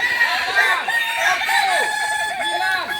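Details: Kokok Balenggek roosters practising together in Ampang Kualo, Kota Solok, West Sumatra; a steady run of quick arched crow syllables from several birds overlapping across the whole stretch.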